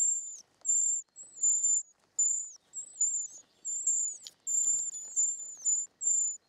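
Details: Nestling short-toed treecreepers begging while fed in the nest: very high, hissing, thin calls in bursts of about half a second, roughly once a second, a few with falling tails, over faint rustling.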